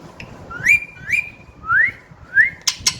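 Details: Parrot kept as a pet, recently started whistling, delivers four smooth rising whistles, the first two ending in a held tone, then two short sharp clicks.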